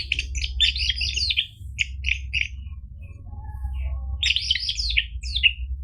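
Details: Orange-headed thrush song meant to prompt a bird that has stopped singing: dense bursts of jumbled chattering and twittering notes, a quieter gap with faint notes, then another busy burst.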